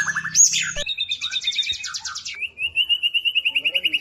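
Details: White-rumped shama song used to provoke other shamas into singing: a swooping high whistle, then a fast buzzy trill, then a long even series of rapid repeated notes.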